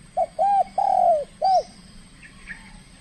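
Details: Spotted dove, a trained bird in its first contest bout in the Riau Islands, calling aggressively: a soft short coo, then two long, slightly falling coos and a final clipped coo, with distant high chirps behind.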